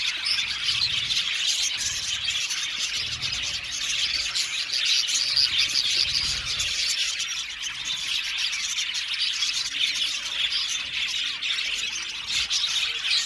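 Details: Budgerigar colony in an aviary, blue males among them, giving steady overlapping high chirps and warbling chatter from many birds at once, with a few brighter whistled notes standing out.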